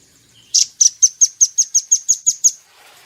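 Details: Velvet-fronted nuthatch kept as a cage bird and recorded to train others: one loud burst, then ten crisp, very high notes evenly spaced in a quick two-second trill.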